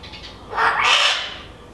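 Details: Great-tailed grackle visiting a garden in Nezahualcóyotl, northern zone, State of Mexico; a single loud, rasping squawk rising and broadening over most of a second, then fading, with a quiet background.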